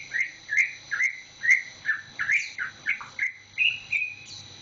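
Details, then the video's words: Green leafbird, caged and only recently bought, its tail just coming in, sings a steady series of loud slurred whistles about two per second, ending with higher, rising notes. "kicau cucak ijo"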